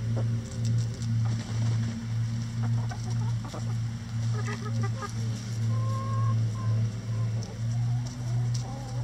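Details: Hens busy with a cabbage ball hung in the chicken run as a boredom buster; scattered short clucks and a couple of faint tonal notes near the end, with a loud pulsing low hum throughout.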